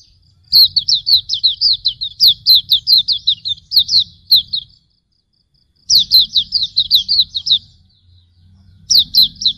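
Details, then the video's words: Hume's white-eye tutor song: quick series of high, thin, slurred down-sweeping chirps in rapid bursts, separated by short pauses, with a faint low hum underneath. "Masteran Suara Burung Pleci Auriventer"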